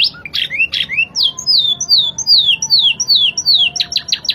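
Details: Spanish Timbrado canary singing clear, fast-changing rhythmic song: a series of high, clean descending whistled slurs repeated about three times a second, ending in quick sharp chips, over a low background hum.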